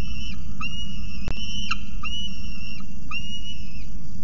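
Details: At night on the nest ledge, a juvenile male peregrine falcon calls softly to his mother after she returns, 18 November 2018, Orange; a series of drawn-out flat whistled cries, each about a second, above steady low background hum.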